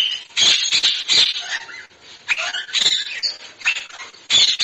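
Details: Shrill, rasping parrot squawks in short irregular bursts, some with a chattering quality. Played for children in a Marathi lesson on birds; this bird is said to be trainable to talk like a person.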